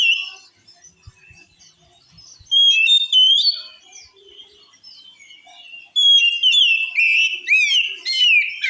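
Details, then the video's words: Oriental magpie-robin singing, described as able to make other magpie-robins angry: soft scattered notes first, then loud phrases of sweet whistles, sweeping slurs and sharp high chips in two strong bursts. "Suara Kacer Ini Mampu Bikin Kacer Lain Auto Ngamuk"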